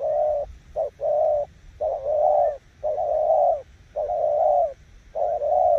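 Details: Spotted dove cooing in Kon Tum, Vietnam: low, throaty cooing phrases, a short note followed by longer rolling coos, repeated in a steady rhythm about once a second.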